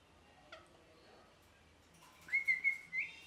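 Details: Parrot whistling a sustained steady note broken into four pulses, preceded by a brief rising slur; quiet background hiss.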